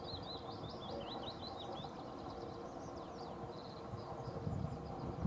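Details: Two whiskered terns give quick runs of short, high chirping notes over a low rumble of wind or traffic. They were recorded at Strabrechtse Heide, Netherlands, on 22 May 2014.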